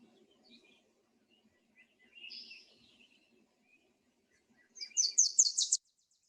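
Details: Wilson's warbler (Cardellina pusilla) song: a quick, insistent, staccato trill of about eight sharp, high chip notes that accelerate slightly toward the end, with faint background birds, probably recorded in the Sierra with common nighthawk and mountain quail.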